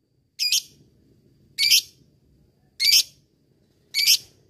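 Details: Lovebird, whose calls are used to provoke rivals and train fighting birds, giving four short harsh screeching notes spaced a little over a second apart, with a faint low hum behind.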